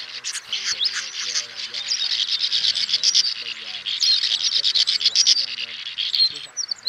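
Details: Swiftlets, male and female, calling the flock to roost, used as a trapping lure: dense buzzy high chittering in rapid bursts, continuous and overlapping, with lower wavering whistled tones running beneath.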